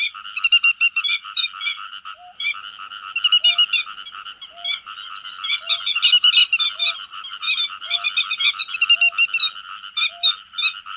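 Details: Grey-headed lapwing calling the flock, used as a lure for netting by night and day: bursts of harsh, ringing notes with bright overtones, several birds overlapping, plus a soft low pipe repeating about every second.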